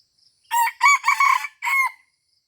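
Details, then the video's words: Junglefowl in Aceh, recorded at Taman Rusa while being lured: a loud four-part crow, rough and ringing, its final note trailing off, over a faint high insect hum. "AYAM HUTAN Aceh # Mikat di Taman Rusa"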